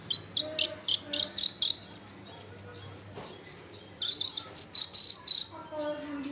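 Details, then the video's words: Long-tailed shrike used as a lure to make other shrikes sing, recorded among close-packed houses: rapid, evenly repeated high chirps in quick series, building into a dense chattering run, over a low hum. "SUAR BURUNG CENDET GACOR COCOK BUAT PANCINGAN CENDET BAHAN BIAR IKUT BUNYI"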